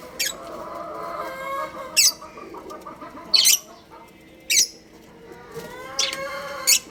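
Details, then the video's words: Pet budgerigars, a breeding pair, chirping in brief harsh bursts about every one and a half seconds, with soft chatter and a low droning hum beneath. "Beautiful Budgies Chirping Sounds"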